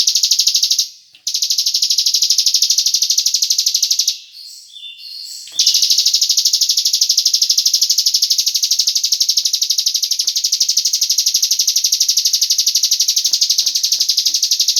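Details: Cigun bird lure call used to draw other birds into singing: a high, buzzy pulsed trill repeating about three times a second, broken by a short pause near the start and a longer gap mid-way.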